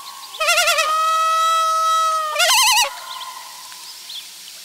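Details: Loon parent beside the nest with its chick on their final day there; a wavering quavering opening slides into a long, steady sustained note, followed by a second quavering burst and then quiet.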